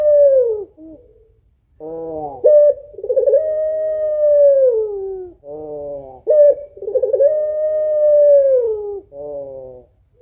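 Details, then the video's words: Puter pelung, a female African collared dove, calling to the male with long, sustained low coos, each opening with a brief rising, ringing lead-in and holding level for several seconds before sagging, repeated three times. "SUARA SEDIH BURUNG PUTER PELUNG BETINA MEMANGGIL JANTAN"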